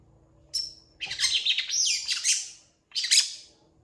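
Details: Long-tailed shrike in full voice, its song filled with imitations: a thin high whistle, then a long, loud, rasping, warbled stretch of mixed notes, and one final sharp chirp after a short gap.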